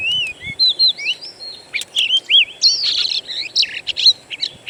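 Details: Recording of wild birds used as a lure to make a caged Oriental magpie-robin sing. Clear, sweeping whistled phrases rise and fall, then break into quick chattering notes, over a steady hiss of background noise.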